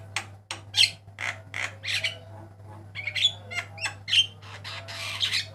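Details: Varied song of a Javan myna, white-eyed type, recorded as a master for training caged birds: a rapid run of dry rasping notes and clicks with a few sharp whistled accents, over a constant low hum.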